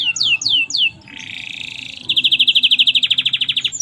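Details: Canary (kenari) singing gacor in the merlok style: a few sharp downslurred whistles, then a long, buzzy, sustained churr, then a rapid, evenly pulsed high trill of clipped notes.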